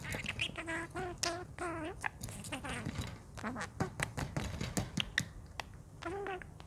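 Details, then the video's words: Pet budgerigar chattering to itself in the morning, recorded unawares: a fast, continuous stream of wavering mimicked-speech syllables and squeaky warbles with clicks, filling several seconds indoors. "Talking budgerigar"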